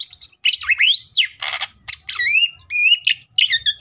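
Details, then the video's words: Greater green leafbird (cucak ijo) in full tembakan style: a rapid run of varied whistles and chirps, some sweeping steeply, some buzzy, with one harsh rasping burst and a short steady whistle near the end. "CUCAK IJO FULL TEMBAKAN"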